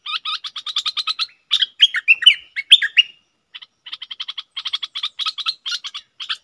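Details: Red-whiskered bulbul kept as a decoy bird, giving its calling, doubled and rattling calls: quick runs of short sharp chirps, a burst of louder slurred notes in the middle, a brief pause, then fast chirping again.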